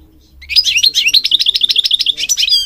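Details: European goldfinch, called a king goldfinch, singing in a recording meant for training birds: after a half-second pause, a quick, bright twittering run of high, tinkling notes, about ten per second, with liquid trills throughout.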